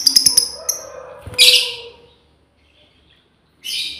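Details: Female lovebird calling to companions: rapid high clicking chirps open, then a loud shrill harsh screech and a second scratchy shriek after a short silence.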